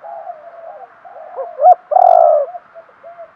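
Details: Decoy spotted dove cooing to draw wild doves: low murmured coos, quick rising notes, then one loud extended coo, followed by soft scattered coos over a faint hum.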